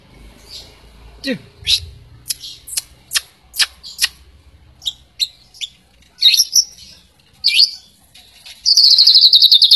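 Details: White-rumped shama song meant to spur other shamas to sing: scattered sharp clicks and chips, a few short whistled notes, ending in a fast, loud buzzy trill.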